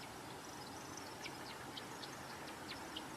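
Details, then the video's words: Male American woodcock in his spring courtship display (sky dance) over early successional shrubland or wetland: rapid, high, twittering chirps in uneven bursts, made not vocally but by three narrow outer primary feathers on his wings, over steady background noise. "Listen carefully to the noises that the woodcock makes during this display."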